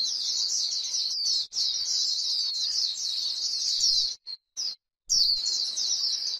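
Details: Grassland white-eye giving the chattering líu song: a steady, shrill, high twitter that carries on almost without a break, interrupted by silences near the fifth second.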